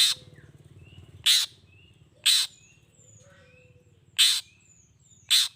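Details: Long-tailed shrike used to get other shrikes calling: five rasping, scratchy blasts at irregular gaps, separated by thin whistled notes from other birds.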